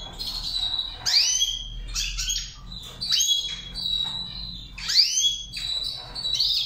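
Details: A goldfinch sings a Saira char chari training phrase, a lively run of high chirps and slurred upward-sweeping whistles repeated in clusters across nearly seven seconds, with a low steady hum underneath.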